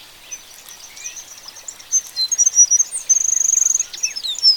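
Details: Oriole Finch (Linurgus olivaceus), an African species, gives thin, very high notes: scattered squeaky chirps, then a quick even trill of about a dozen notes, over faint background hiss.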